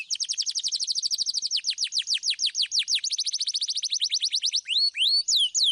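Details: Canary rolling a rapid trill of crisp downward notes that speeds and slows, then breaks into a few looping whistles at the end; clear song meant to prompt young canaries.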